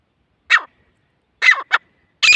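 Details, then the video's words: Grey francolin from grasslands and scrublands of Asia, giving harsh, loud rasping notes in separated bursts, a single note then a quick pair and another burst, with silence between. "Gray Francolin calls"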